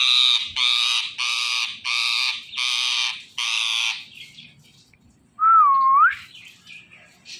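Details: Indian ringneck parakeet, a talking parrot, giving six loud, harsh, buzzy squawks about half a second apart, then after a pause a clear, smooth whistle that dips and rises, followed by softer chatter.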